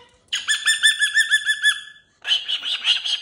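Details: Cockatoo kept in a cage and playing with new jingly toys gives a quick string of about ten pulsed, warbling 'woo' notes, pauses, then a hoarser, noisier run of repeated syllables.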